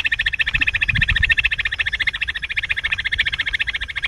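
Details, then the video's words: Bush quail call used as a hunting lure: a fast, unbroken run of high chirping notes, about three and a half per second, with a low rumble near the start. "bush quail amazing shikar awaaz | quail hunting sound"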